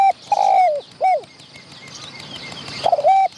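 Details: Wild spotted dove that came close to the filming spot to drive off a decoy dove, showing off as it calls: soft, mellow, mid-pitched coos, one drawn-out, one short, then another after a pause, over faint hiss.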